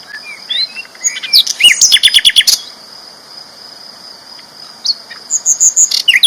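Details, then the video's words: Flycatcher known locally as sikatan londo, a loud champion songbird: short whistled slurs build into a fast, dense run of trilled notes for about a second, a pause, then more rapid chirps, with a constant high-pitched hum behind. "BURUNG SIKATAN LONDO GACOR ISTIMEWA KERAS LANTANG"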